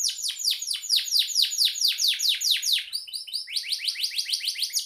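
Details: Canary described as gacor, a vigorously singing bird used as a master tutor for songbirds; rapid series of descending sweeping whistled notes, about eight per second, shifting at three seconds to short chattering trills, then another fast run of downward sweeps.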